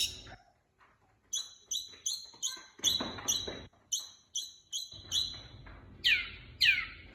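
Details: Long-tailed shrike lure song meant to trigger shrikes that will not sing: a rapid series of high, short, downward-slurred whistles repeated roughly twice a second, ending in three louder sweeping descending notes, with faint background rustle.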